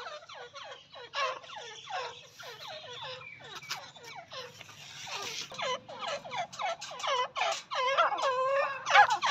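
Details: Female partridge (teetar) voice: a rapid run of short, downward-sliding squeaky notes, several per second, growing louder and more strained toward the end, with a low background hum.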